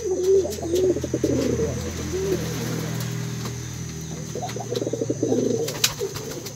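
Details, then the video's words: A silver blue-grey male pigeon calls a female with eager, repeated cooing: deep, rolling coos in two main bouts separated by a quieter pause, a sharp click near the end, and a constant thin background hum. "SUARA MERPATI GOMBAL BETINA"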